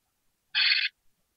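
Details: Single sustained harsh, buzzy hiss from freshly hatched great tit nestlings in a nest box awaiting feeding, lasting about a third of a second against silence.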